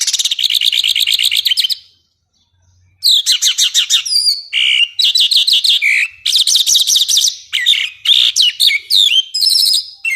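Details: Songbird master recording for training contest birds: loud, rapid bursts of high twittering and trilled notes with sharp whistled slurs, broken by a short silence, with no background noise.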